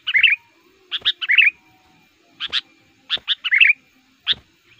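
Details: Lure sooty-headed bulbul for catching wild males in the forest: sharp single chirps alternating with brief rich warbled phrases, spaced about a second apart.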